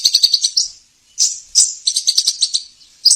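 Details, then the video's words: High sibilant twittering of a sunbird (sogon) master recording used to coax reluctant caged birds into song. Rapid ticking notes run into buzzy phrases, broken by a short pause near one second. "suara pancingan burung sogon"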